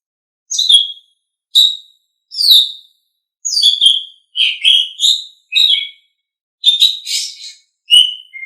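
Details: Asian pied starling song used as training material for pet songbirds: about ten short bursts of whistled, slurred and chattering notes, each under a second, separated by brief silences, with no background sound.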